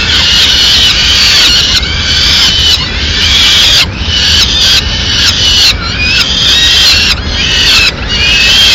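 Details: In Madrid, peregrine falcon chicks call strongly for food as the female brings in a small bird at mid-morning; grating, squealing wails repeated about once a second with brief pauses, over faint low rumble.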